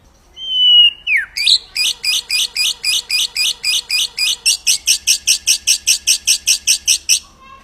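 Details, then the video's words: White-rumped shama master song for training other birds to copy: a falling whistled note, then a long series of rapid, evenly repeated buzzy high notes, about four per second. "Masteran murai batu ful tembakan kicau prestasi jernih mudah di tiru"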